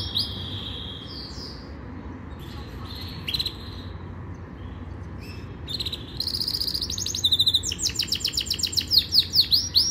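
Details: Yorkshire canary training song: scattered high whistles and short buzzy bursts separated by quiet gaps, building into a fast, loud rattling trill of repeated notes at the end.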